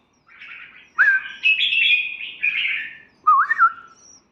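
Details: A kept red-whiskered bulbul sings a clear, bubbly warbled phrase of rolling liquid notes, then a brief pause and a short upward-flicking whistle to finish.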